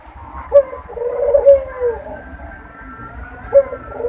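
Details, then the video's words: Low, purring mating coo of a Barbary dove, meant as a lure for breeding readiness: one full coo with a clipped note, then a long rolling tone sinking slightly in pitch, and a second coo starting at the end. "puter kawin || pancingan burung puter agar cepat birahi"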